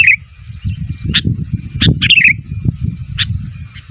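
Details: Sooty-headed bulbul calling for other bulbuls to respond: a few bright chirps and one short warbled phrase rise above a constant low rumbling background noise.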